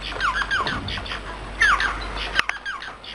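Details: Bengalese finch singing short buzzy downslurred phrases, fairly quiet, with a sharp click midway and steady background hiss.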